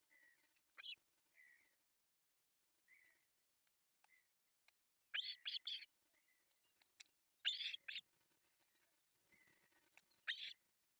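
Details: Osprey chicks, three at a Finnish nest in Pohjois Satakunta, clamouring at a morning feeding on July 1, 2024; scattered thin whistled notes between loud squealing triple bursts, repeated several times over the stretch.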